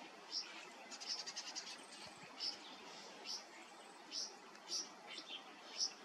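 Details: A young Red Wattlebird being taught to drink and given water gives thin, high squeaks, repeated roughly once a second with a quick burst early on, over a faint background hiss.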